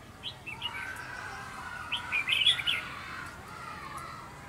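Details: Red-whiskered bulbul singing as a trapping decoy in Vietnam, 29 June 2020. Short bursts of bright whistled and chirped notes come early and again in a denser phrase midway, with a low steady hum behind.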